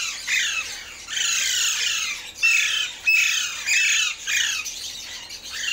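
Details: In the morning, Alexandrine parakeets give loud, harsh, grating squawks in bursts about a second long, repeated irregularly, with several birds overlapping.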